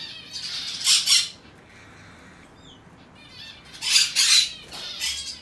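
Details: Hand-tame Monk Parakeet chick in aqua pallid colour, recorded 22 May 2022, giving two paired harsh rasping squawks separated by a quiet pause, with a faint soft whistle between.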